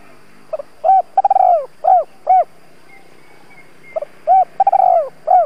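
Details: Decoy spotted dove giving 'thúc gù' calling coos meant to provoke wild doves: two repeated phrases of a quick clipped note, a rolling drawn-out coo and two short hollow coos, with faint high chirps in the background.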